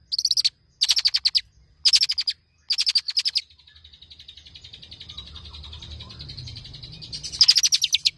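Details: Tame long-tailed shrike singing a varied repertoire used as a tutor for other songbirds. Short bursts of rapid trilled notes, a long steady thin whistle, then a final trilled burst.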